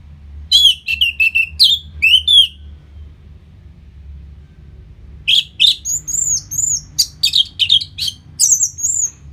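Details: Orange-headed thrush song used after moulting to make the bird more aggressive, recorded in Bali; two bursts of rapid varied whistled notes with slurred and rising phrases, separated by a pause, over a low steady hum.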